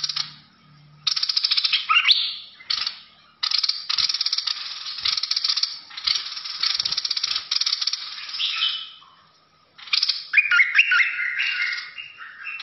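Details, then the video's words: Bulbul of a fierce singing style delivering long harsh buzzy chatter in repeated bursts, ending with a phrase of quick slurred whistles. "นกดอกแตง สายดุ!! Burung merbah lekir bay hoach thom Gacor Bahanan"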